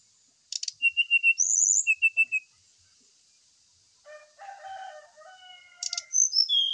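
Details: Brown-chested jungle flycatcher lure song for prompting a bird to sing while aired in morning dew: sharp clicks, a run of even whistled notes, then lower warbled phrases and more rapid high notes over a constant high hiss.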